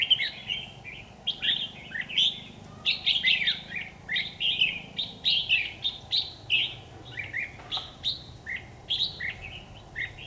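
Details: Red-whiskered bulbul on an AX40 4K camera recording, singing a long, busy series of lively chirped and warbled phrases that follow one another almost without pause, over steady background noise.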